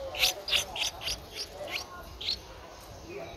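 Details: Streak-eared bulbul nestling, 11 days old, its eyes opened at seven days, Ubon Ratchathani, Thailand, 13 April 2023; quick run of high, thin chirps, about six in under two seconds, then one more after a pause, over a quiet background.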